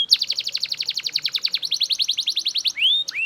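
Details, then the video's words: Belgian canary singing loudly, pouring out a fast trill of about ten bright notes a second, then ending with two rising, slurred whistles. "Super Loud Belgian Canary Singing"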